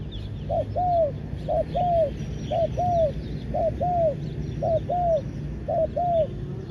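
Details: Decoy spotted dove calling to lure wild doves, giving a short coo followed by a longer arched coo, the pair repeated about once a second, over a steady low rumble and faint high insect-like tones.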